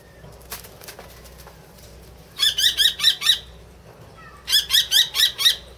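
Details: Common kestrel, a rescued individual kept at Tama Zoo, April 2016: soft wing flutters at first, then two rapid bursts of four and five piercing, high, harsh notes separated by a short silence.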